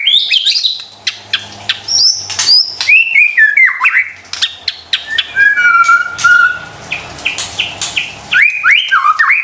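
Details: White-rumped shama song used as a lure to make stressed or quiet birds start singing: loud, varied whistled phrases with sharp rising and falling notes, a long steady whistle midway, and rapid chattering bursts.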